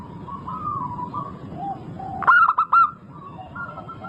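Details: Singing local zebra dove used to encourage other birds to sing: a single crisp burst of three or four rapid, ringing coo notes midway, framed by quieter whistled tones from other birds.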